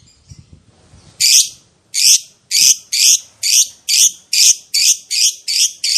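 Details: Lovebird giving a harsh, screechy series of loud notes, about a dozen raspy bursts repeated roughly every half second after soft clicks and rustling at the start.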